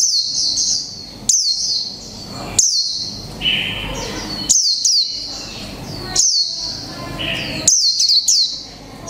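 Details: A mộc tinh Japanese white-eye, caged one month, sings líu pha chòe trống song: bright high-pitched phrases opening with sharp falling notes, each burst a second or so long, repeated steadily over several seconds.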